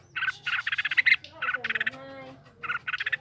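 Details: Red-whiskered bulbul kept in a cage gives rapid, harsh, pulsed chattering bursts in quick succession, broken midway by softer low tonal lines.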